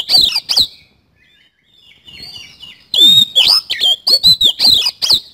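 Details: Oriental magpie-robin singing an energetic 'isian kasan' song: bursts of loud, sweeping whistles and sharp slurred notes, a near-silent pause of about two seconds with faint soft chatter, then a fast run of rising and falling whistles.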